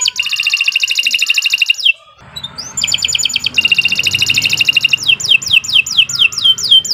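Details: Canary singing continuously as a training master for other birds: long, fast buzzy trills, a short gap, another rolling trill, then a series of sweeping downward whistles repeated several times a second.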